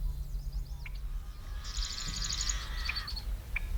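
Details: Marsh Wren in the background at the North Ottawa Impoundment, Minnesota, on June 12, near American Avocets: a rapid, buzzy, rattling trill lasting about one and a half seconds, over low wind rumble and scattered faint bird notes.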